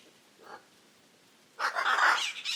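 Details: Hyacinth macaw call: a faint short note, then after a pause one loud, harsh, rasping squawk lasting about a second.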